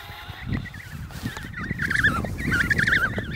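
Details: Emperor penguin chicks at the Snow Hill colony, Antarctica, in November 2018, during a visit by icebreaker: wavering, warbling whistled calls in two main bursts that grow louder, over low rumbling and thumping background noise.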